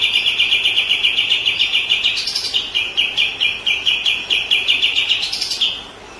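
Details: Murai batu, the white-rumped shama, singing for a training recording aimed at other birds. Long rapid runs of clipped high notes, broken twice by short higher flourishes, then fading away.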